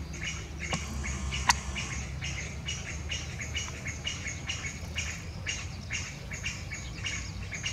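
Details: A Chinese bamboo partridge gives an unusual ground call: a run of harsh, scratchy notes, several per second and fairly even in pace, over a low background rumble.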